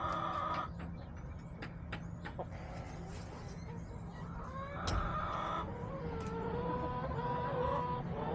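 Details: Domestic chickens in a backyard, March 30, 2024: scattered clucks and short harmonic calls over steady background rumble, with sharp clicks and faint high bird chirps throughout.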